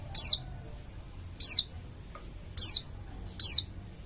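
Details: Pleci dakun Bali, an oriental white-eye in full voice, used to coax other white-eyes into song: four high, thin, falling whistles spaced about a second apart, crisp over a quiet background.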